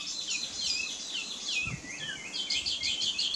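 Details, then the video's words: Taiwan hwamei singing a rich, fast run of high whistled phrases with sliding, slurred notes poured out without pause, over a faint background hiss. "Burung Hwamei Taiwan"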